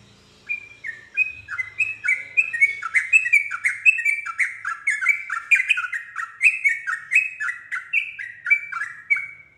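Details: A yellow-vented bulbul, drawn into answering, breaks into a long, fast rolling song: dozens of short whistled notes, each falling in pitch, pour out steadily after a brief quiet start, with a faint low hum early on.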